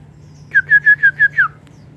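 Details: White-rumped shama kept in an aviary: six loud, pure whistled notes in a quick even row, the last one slurring downward, over a faint low hum.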